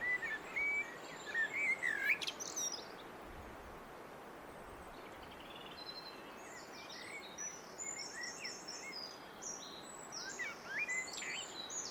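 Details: Singing blackbird: one mellow, slurred whistled phrase with a squeaky flourish at the start, followed by steady background hiss and thin high chirps from other birds.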